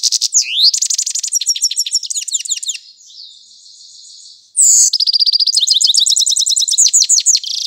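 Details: A grey-crowned goldfinch at Isfara gives bright, high tinkling twitters in quick runs of about three notes a second, with one brief buzzy, wheezy phrase in the middle.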